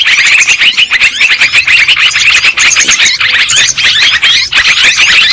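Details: Yellow-vented bulbuls from a long bird-trapping lure, a crowded chorus of sharp, chattering chirps and short whistles, steady and overlapping, with a few brief drops in volume.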